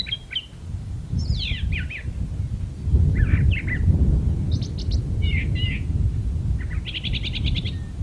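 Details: Brown thrasher singing from a magnolia, stringing together varied phrases: sweeping slurs, doubled chirps, and a closing fast rattling series, over a steady low rumble of background noise.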